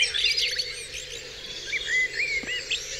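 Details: Dawn chorus of several birds on Dewlands Common: overlapping high chirps, whistled slurred notes and quick twittering phrases, with a clear rising-falling whistled phrase near the end, over a faint steady background hum.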